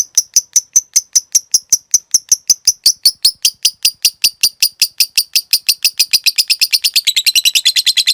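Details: Long 'ngekek panjang' lovebird trill for training cage birds: sharp, evenly spaced high chirps that speed up toward the end into a dense, buzzing chatter.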